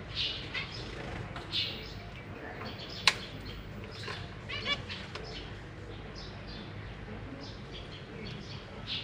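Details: Caged zebra finches, parents busy feeding newly hatched babies alongside three juveniles; short nasal chirps pop out irregularly over a steady background hiss, with a sharp click near the middle.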